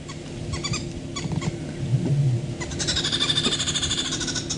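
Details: Green wood hoopoes alarm-calling at a leopard during a sunrise drive, 24 June: harsh, rapid cackling chatter of repeated high notes, louder in the second half, while a man talks quietly underneath; the leopard lifts its tail.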